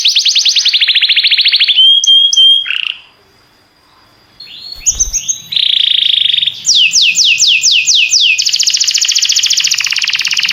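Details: Canary song with varied phrases: a buzzy trill, a clear whistle, a short gap, then nasal notes, a series of falling sweeps and a fast rolling trill.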